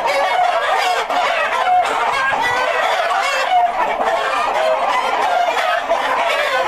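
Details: White Rock chickens, a colour variety of the Plymouth Rock kept as a breeder flock for hatching eggs: a dense, continuous mass of overlapping clucks and murmuring calls from many birds, with no pauses.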